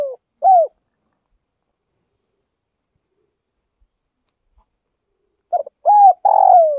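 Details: The tail of a spotted dove's cooing phrase, a falling low coo, is followed by about five seconds of silence. A fresh phrase then starts with a stuttered double note, a smooth coo and a long burry note. The bird is from the Tây Bắc region.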